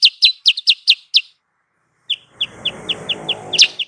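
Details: Sooty-headed bulbul lure call used for trapping: sharp, high, downslurred chirps in a quick series, a pause of about a second, then more evenly spaced chirps over a rough, hissing background noise.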